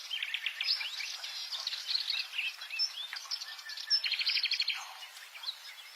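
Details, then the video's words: Subalpine warbler singing a dense, hurried warble of dry chirps, short whistles and rattling bursts, loudest near the fourth second and then trailing off. "Burung Gacor Sylvia Cantillans"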